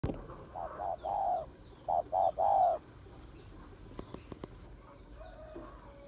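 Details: Female spotted dove calling to excite males: two low cooing phrases, a short hooted note then a longer rolling coo, followed by three quick double notes; faint sharp clicks afterwards.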